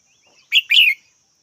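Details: Red-whiskered bulbul giving a quick two-part chirp: a short bright note, then a longer warbled phrase, both high and clear over a faint steady high hum.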